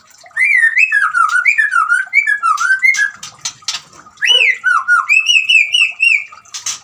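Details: White-rumped shama singing over running water, played to get a silent shama to sing: a fast stream of looping whistled notes that dip and rise, delivered in two long bursts split by a short gap.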